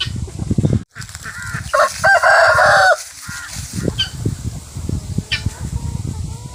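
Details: Free-range farm rooster giving one drawn-out harmonic cock-a-doodle-doo lasting over a second, over constant low rumbling noise and scattered clucks and short calls from other poultry.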